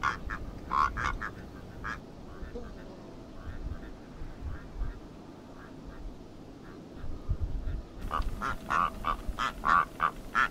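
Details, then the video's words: Rüppell's korhaan calling with a few scattered rasping croaks at first, then a quiet gap, followed by a denser, irregular run of loud grating croaks during the last few seconds. "Vögel und ihre Stimmen - Rüppelltrappe"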